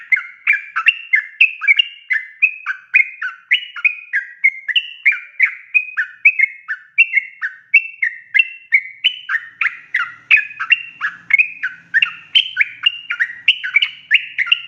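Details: Continuous long rolling song of a sooty-headed bulbul, used as a lure so other bulbuls reply, steady stream of liquid whistled notes bouncing between higher and lower pitches, about two notes per second without pause.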